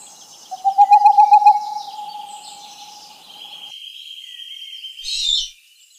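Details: A brief, rapid owl trill of pulsed mid-pitched notes fades into a held tone, with shrill insect sounds and a soft rustle near the end.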